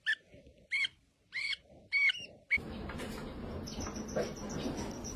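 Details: Young parrot giving four short harsh rasping squawks spaced about half a second apart, followed by loud noisy handling and rustling sounds.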